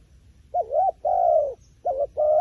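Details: Wild pigeon giving four low coos: a wavering double note, a long steady note that sinks gradually, then two shorter flat coos.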